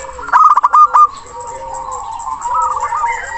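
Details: A male zebra dove calling to rivals gives a quick burst of four or five clipped, hollow coo notes, then a softer rolling, purring coo; used as a lure to make birds sing.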